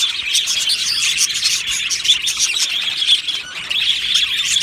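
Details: Aviary colony of Australian budgerigars chirping and singing together, giving a steady wall of bright, overlapping warbled chatter and sharp chirps with no pause.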